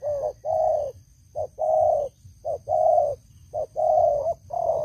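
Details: Loud decoy spotted dove giving a steady run of coos, each short note followed by a longer even-pitched coo, about one per second, over soft low-pitched background noise.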